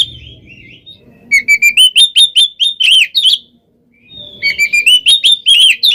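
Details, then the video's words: Oriental magpie-robin kept for song contests, singing continuously in the style that provokes other birds: bright whistled phrases, then fast bursts of sharp chattering notes, a short silence, and the dense run resumes. "PANCINGAN KACER GACOR FULL ISIAN KONSLET! BIKIN BURUNG LAIN EMOSI"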